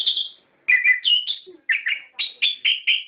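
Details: Lure song of an orange-headed thrush, played to provoke caged birds to answer: clear whistled notes in short groups of two or three, alternating between higher and lower pitches, with brief gaps.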